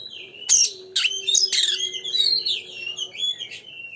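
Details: ['Oriental magpie-robin singing as a lure to stir other magpie-robins to sing: rapid, rich jumble of sharp high whistles and chirps that run into sliding warbled notes, with a faint low hum beneath.']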